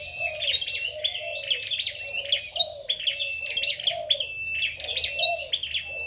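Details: Singing contest of a red-headed flowerpecker: fast high chittering in repeated bursts about every second, a fine sustained whistle, and a soft, lower rising-falling warble between phrases.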